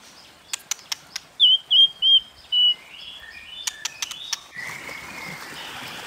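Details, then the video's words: White-rumped shama competitive song: a few sharp clicks, then four loud flat whistled notes, followed by more clicks and a louder background hiss. "Tiếng Kích Chòe Lửa Hót Đấu Kéo Thuốc Lào"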